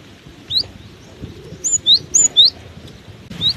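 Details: Singing through strong wind, a cinereous tit gives scattered high, thin whistles, then a rapid series of paired notes, a sharp high tone followed by a lower slurred one, over windy background.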